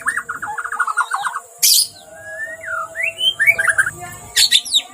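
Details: White-rumped shama singing excitedly: a fast stuttering trill, a harsh hissing burst, then rising and falling slurred whistles and a closing sharp scratchy phrase, over a faint steady background hum.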